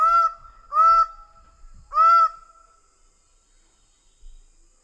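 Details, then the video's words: Three loud, nasal, honking calls from a Greater bird-of-paradise within the first two and a half seconds, followed by quiet. "Greater bird of paradise sound"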